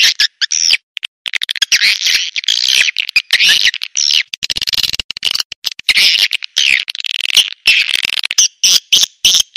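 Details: Swiftlet lure call used to attract swiftlets, also played in forest areas: dense high buzzy twittering in choppy bursts with abrupt gaps throughout.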